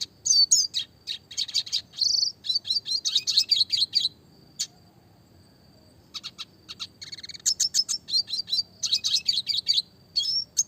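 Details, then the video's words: Red siskin in lively classic song with clear voice, fast tight roll tembak variation for training small birds: long runs of rapid high chirps and trills, a pause of about two seconds, then renewed rapid chirping. "burung red siskin klasik gacor suara jernih masteran burung kecil variasi roll tembak"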